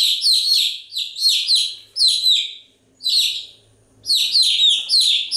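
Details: Continuous chirping from chicks: bright peeping notes sliding downward, given in fast bursts of four or five, then a near-silent pause before more calls.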